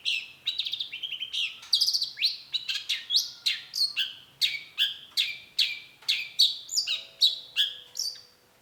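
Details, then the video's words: Long-tailed shrike kept as a songbird, delivering a fast series of loud, sharp down-slurred notes, roughly one per half second, mixing varied chips and whistles throughout. "cendet gacor PANCINGAN LANGSUNG NYAUT || Long-tailed Shrike"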